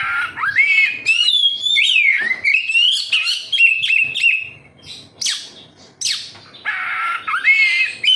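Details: Oriental magpie-robin singing, offered as a lure for captive kacer: a sustained run of clear whistled and warbled notes broken by harsh scratchy bursts and brief gaps.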